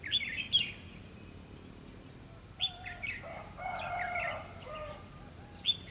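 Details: Red-whiskered bulbul fighting song recorded during bird trapping with a decoy on 2 February 2016: bright chirpy phrases at the start, a busier warbled burst in the middle with lower whistled notes beneath, and a final short chirp.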